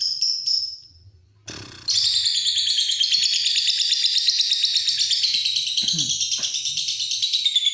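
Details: Lovebird delivering a long ngekek: after a few short high chirps and a pause, a continuous shrill, rapidly pulsed chattering trill runs unbroken for about six seconds, staying high-pitched and slightly descending toward the end.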